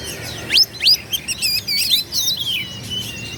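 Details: Song of an Oriental magpie-robin meant to goad rivals into answering: quick sweeping whistles and chattering bursts, followed by a wavering high warble, steady and loud throughout.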